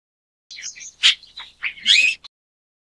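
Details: Chestnut-tailed starling (Sturnia malabarica) giving a brief chattering phrase: thin high whistled notes, then sharp clicks and a harsh buzzy burst ending on a short clipped note, all within about two seconds over a quiet background.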